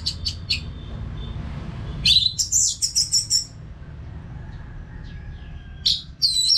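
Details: Orange-headed thrush song for training caged birds: a few soft chirps, then a loud series of about six sharp, high whistled notes, a quiet stretch, and a final bright whistle.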